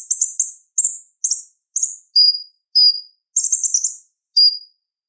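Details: Purple-throated sunbird (konin) song played to teach other songbirds: very high, rapid buzzy chip clusters alternating with pure, slightly falling whistled notes, each burst separated by short silences.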